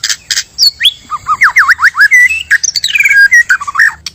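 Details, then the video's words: White-rumped shama song, male and female, used as a lure for trapping: loud varied whistles, rising and falling slurred notes and harsh squawky bursts in quick succession, with a low hum underneath. "Pikat Dan Pancingan Murai Asli Suara Alam"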